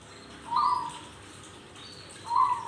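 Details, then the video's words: Zebra dove giving an unusual call: two short, smooth, mid-pitched hooting notes about two seconds apart over a steady background hiss. "PERKUTUT Suara Aneh"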